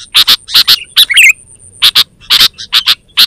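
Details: Kutilang, the sooty-headed bulbul, calling for use as a lure and a training master: doubled harsh chirps repeated in quick pairs, one twisting bubbly phrase near the start, a thin constant high tone underneath.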